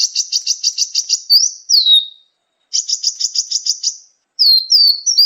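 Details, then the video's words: Sunbird song played as a training recording for cage birds: rapid trains of high buzzy notes, then sweeping downslurred whistles, repeated after a short pause. "masteran burung gacoan, Kolibri"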